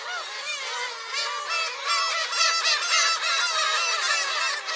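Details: Many black-tailed gulls at a shrine, July 10 (a Friday), giving wavering, cat-like mewing calls stacked over one another, swelling louder toward the middle and end.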